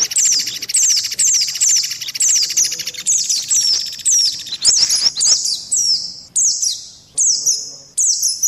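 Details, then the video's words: White-eye lure call in a combined lure track. Loud high chirps, each sliding downward, repeat roughly every half to one second over a faint buzzy background trill. "SUARA PIKAT BURUNG PLECI"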